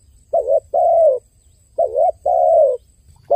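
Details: Dove crying: low hollow coos in two phrases, each a short wavering note followed by a longer drawn-out coo that slides slightly downward, with a faint steady high whine in the background.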